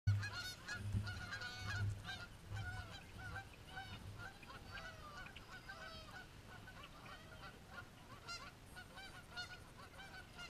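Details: Geese fighting, giving loud harsh honks in rapid overlapping bursts, several per second for the first few seconds, then scattered quieter honks continuing through the rest, with a low rumbling background.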